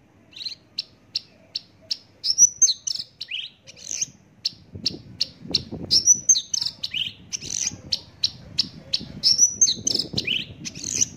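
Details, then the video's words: Javan bush lark singing a long, rapid phrase of evenly spaced high ticking notes mixed with thin rising whistles and buzzy trills, with faint low noise behind. "branjangan javanica"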